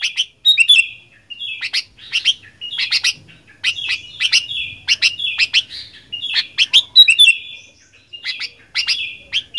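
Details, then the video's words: Fighter-style song of a sooty-headed bulbul: repeated phrases of sharp chirps and short slurred whistles, about one phrase per second, steady and energetic throughout, with a quiet background. "Kicauan Kutilang Gacor Fighter"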